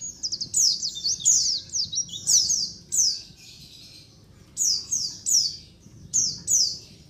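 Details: Many white-eyes calling together, a colony sound meant to lure wild white-eyes. Rapid, high, falling chirps, some doubled or tripled, come in tight groups separated by short pauses.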